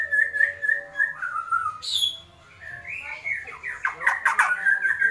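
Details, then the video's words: Kretekan from an agitated White-rumped shama: steady repeated whistled notes, a short quiet gap, then a fast, accelerating string of sharp clipped notes and rattles. "Kretekan Murai Batu Emosi"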